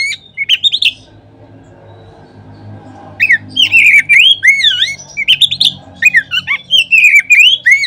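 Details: Lure recording of an Oriental magpie-robin (kacer) singing, to prompt other birds to sing. Brief whistles open, then a long gap with low hum, then steady phrases of swooping, looping whistles and sharp clicks to the end.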